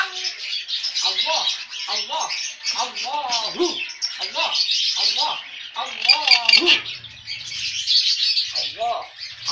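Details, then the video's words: Cockatoo mimicking human speech: a hoarse, raspy voice delivering a run of speech-like syllables with sweeping harmonic tones, pausing briefly between phrases, over a steady hissy background. "SUARA ADZAN MERDU BURUNG KAKA TUA"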